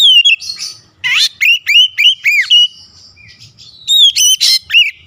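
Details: Oriental magpie-robin worked up by a rival, singing loud repeated arching whistles with sudden rasping bursts, in fast phrases separated by a softer pause.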